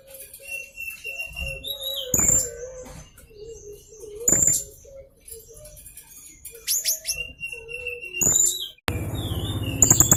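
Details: Young blue-crowned hanging parrot singing, used as a master recording to prompt other birds to sing: sharp, piercing very high notes burst out about every two seconds between thin whistles, over low warbling from other birds, ending in a sudden noisy hiss.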